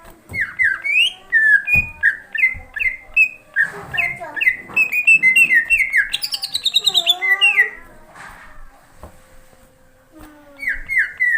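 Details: Greater green leafbird singing energetically at night: strings of clear downslurred whistles repeated about three per second, interrupted by a rising high buzzy trill and a rapid stuttering series, with faint low knocks, ending in more whistled notes.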